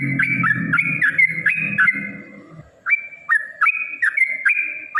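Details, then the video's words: Yellow-vented bulbul fighting song used as a lure to provoke rivals: clear whistled two-note phrases, each dipping then jumping up, repeated steadily; low noise fades after two seconds, leaving the whistles clear. "trucukan gacor TARUNG ROPEL PANJANG pancingan trucukan agar bunyi"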